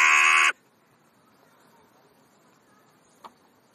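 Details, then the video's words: A single loud, harsh crow caw lasting half a second during crow talk, then near silence broken by one faint click. "Krähenunterhaltung /crow`s talk"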